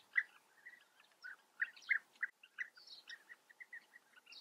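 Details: European bee-eaters calling at their breeding colony in Germany's Eifel: separate rolling notes spaced out irregularly, a few louder calls early, then softer, higher chirps from other birds.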